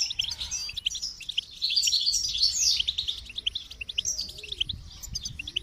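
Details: Goldfinch song as a lively, fast chatter of high chirps and trills, loudest in the middle, with a soft low rumble throughout.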